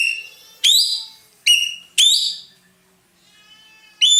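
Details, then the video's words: Roller singing hard, a bird prized in Indonesia for its loud, sweet voice and used as a tutor bird: ringing, strongly overtoned whistles rising sharply, four quick notes with a short pause before the last. "burung ekek Keling gacor nembak"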